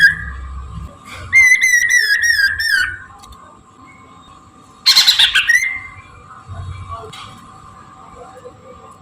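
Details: Chinese hwamei singing in the morning, a recording played as a lure: a long sliding whistled note, then rapid warbled whistles, a pause and a short harsh burst, over low rumbling background noise.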